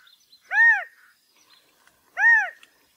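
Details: California quail mating calls: a matched pair of loud, curved nasal notes 1.6 seconds apart over a quiet background with faint high twitters.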